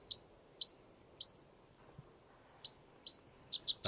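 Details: Common reed bunting at a British wetland in early spring: its slow stuttering song of six short, high, sharp notes about half a second apart, building to a brief, slightly flat jumbled flourish.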